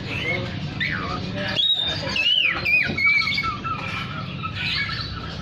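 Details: Lively oriental magpie-robin song meant to call other magpie-robins: clear whistled notes, a wavering trill and down-swept phrases, set against constant broadband background noise.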